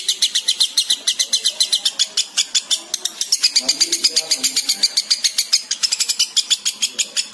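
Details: Breeding-condition lovebird in sustained ngekek: a fast, steady stream of raspy, high chattering pulses repeated several times a second throughout, barely pausing, with a faint low murmur underneath.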